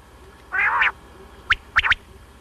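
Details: Common quail (batair), heard for morning and night hunting: a buzzy two-part grunt, then a sharp three-note whistled phrase.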